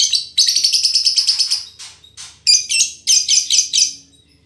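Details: Female lovebird described as a fighter that chatters as busily as a male, used as tutor audio: a fast, buzzy, pulsed trill, a short pause, then several loud, shrill clusters of rapid notes.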